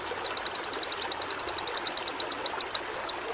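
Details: High white-eye trill on audio used to stimulate singing: around twenty-five rapid, evenly spaced chipping notes held at one pitch for nearly three seconds, then a single falling whistle.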